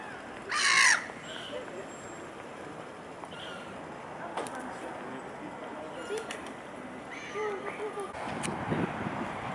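An Iceland gull gives one loud, harsh, squealing call near the start, followed by fainter scattered calls over a low murmur of background noise and distant voices.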